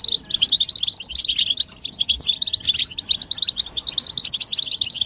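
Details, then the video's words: Goldfinch mating and readiness chatter from several birds, intended to make males sing without interruption; fast liquid twitters and sharp chirps pour out continuously, with slightly louder bursts. "بتبتة الحسون تحفيز الحسون على التغريد والهيجان علاج صمت الحسون goldfinch stimulation"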